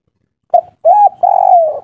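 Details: Spotted dove of local stock cooing in kuk 3 style: a short note, a rounded coo, then a long wavering coo that fades at the end, in a quiet setting.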